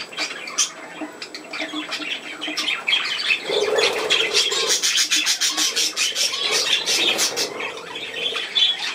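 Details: Pet budgerigars at play. Rapid, scratchy squawks and chirps tumble over one another in a dense, uneven stream, with a few lower warbling notes in the middle.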